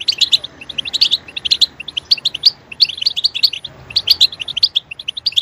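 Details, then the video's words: Steady, bright chirping from a European goldfinch: bunched groups of rapid, high, liquid notes follow one another with only tiny gaps. "Stimulating a goldfinch clip to make it chirp in a loud and wonderful voice"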